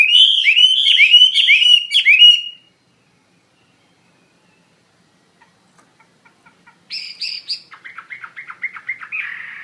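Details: Chinese hwamei giving a burst of loud looping whistles for over two seconds, then near silence with soft ticks, followed by a high buzzy note and a rapid chattering series of lower notes.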